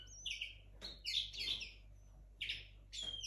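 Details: Linnet hybrid from 2022 at the start of its singing: high chirped notes and brief sweeping whistles in separate bursts, with short gaps and a faint room hum underneath.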